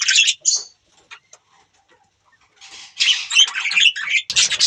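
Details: Budgerigar chirping: a couple of sharp squawky notes, a quiet gap with faint ticks, then a loud run of rapid scratchy warbled chatter.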